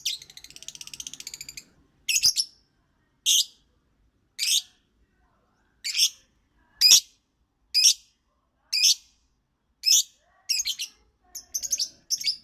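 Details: Singing lovebird: opens with a fast, buzzy chattering trill, then sharp high chirps repeated roughly once a second, some doubled, ending in quicker clustered notes.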